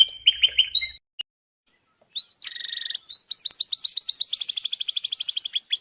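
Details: Belgian canary of the feo mutation, red, singing: a short burst of high chirps, a brief pause, then a buzzy warble building into a long, fast series of high rising-falling notes repeated several times a second.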